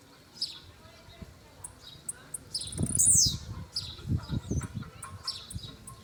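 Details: A brownish blue-black grassquit performing. Its one loud, buzzy, down-slurred note stands out among faint high chips. Low rumbling thumps and handling noise are heard around it.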